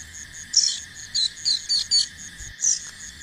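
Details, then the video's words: Young bar-winged prinia, a fledgling learning to fly, makes a run of six or so bright, high, clipped chirps spaced about a third of a second apart against a constant background of insect trilling. "ANAKAN BURUNG CIBLEK BELAJAR TERBANG"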